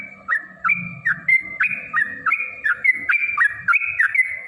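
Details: Yellow-vented bulbul delivering a fighting 'ropel' song intended to make other bulbuls answer: quick, bubbly whistled phrases, each a short drop and rise, repeated about every third of a second with low background rumble.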